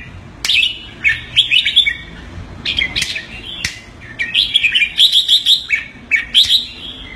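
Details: Red-whiskered bulbul, a pet bird in Singapore, doing keke calls on command: clusters of sharp chirps build into rapid, evenly spaced keke notes, several bursts within a few seconds.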